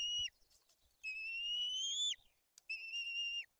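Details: White-tailed eagle chicks in Poland's Tuchola Forest during a fish feeding marked by the older chick's aggression: a short whistle, then a long rising one, then a level whistle, with light tapping sounds between them.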